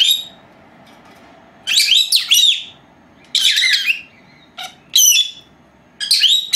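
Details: Pair of young female lovebirds, four months old, napping at home, filmed by an unattended old camera; loud bright chirping bursts with squeaky rising and falling notes, several clustered calls separated by brief silences.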